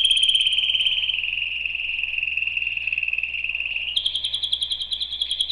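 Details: A canary sings a loud high trill that drops into a long, smooth, slightly descending roll, then jumps to a sharper, higher pulsed phrase of separate clicks in the final second and a half.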